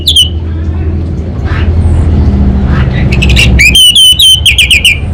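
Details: Anis bata orange-headed thrush in kabel konslet song: one brief whistle, a stretch of low hum with faint sounds, then sharp clicks leading into a run of rapid wavering whistled notes.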